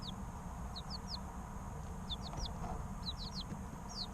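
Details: Chicken chicks aged three weeks peep repeatedly, clear high notes sliding downward, in groups of two or three with short gaps, over a low constant hum.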